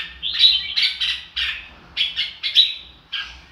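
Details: Red-whiskered bulbul giving a run of short, clear whistled notes, some rising and some falling, delivered in quick bursts about every half second.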